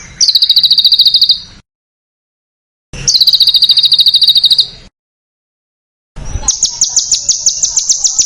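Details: Contest-bird masteran in a dense, harsh screeching style: two long, rapid, high metallic trills separated by silence, followed by a string of very high, sharp, repeated chip notes.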